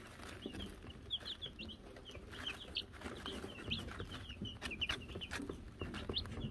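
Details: Wyandotte chicks, Silver Laced, Gold Laced and Gold Laced Blue, after getting a bell, cheep steadily: many short high peeps, often in quick pairs or triplets, across the whole stretch, with soft clicks and a low background hum.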